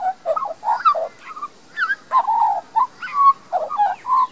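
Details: A young Australian magpie, a resident bird in a Queensland, Australia garden, caught on a compact camera, carols a rich warbling song of gurgled, fluting notes in short bursts, pitch swooping up and down between phrases.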